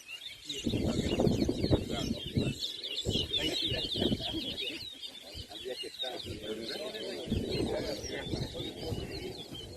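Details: Competition singing of a towa towa in a bird race at Anna Regina park, Essequibo, Guyana, in 2023: fast chattering high warbles throughout, half-masked by steady crowd chatter and murmuring voices.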